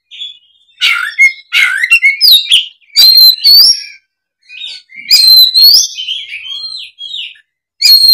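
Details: Oriental magpie-robin in combative singing mode, showing off its repertoire of fill-in phrases as a lure. Loud bursts of bright, rapidly changing whistles and scratchy notes, broken by short gaps, then a fresh burst at the end.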